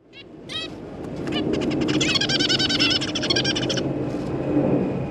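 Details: A captive zebra finch family, parents and recently fledged young learning to fly in a new big cage, give nasal, buzzy calls and quick chattering notes in rapid bursts, several birds at once, over a low rumble.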